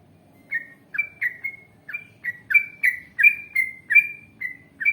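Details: Yellow-vented bulbul singing in a long ngalas and ropel style, used as a lure to make other bulbuls reply: bright, gurgling downslurred phrases starting softly, then repeating more loudly about every third of a second.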